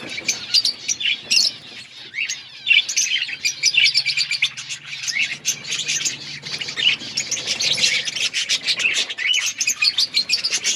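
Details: Budgies in an outdoor breeding colony giving a dense wall of high twittering and warbled chirps, many birds overlapping without pause.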